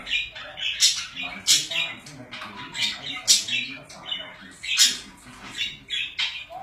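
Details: Indoor pet budgies chattering in quick scratchy warbles, with bright clicking chirps and squeaks scattered through and a faint low background hum.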